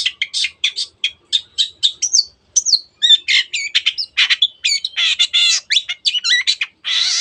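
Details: Long-tailed shrike in lively full song, used to provoke other birds: a rapid series of sharp high chips leading into jumbled whistles, warbles and harsh rasps, ending with a drawn-out scratchy note.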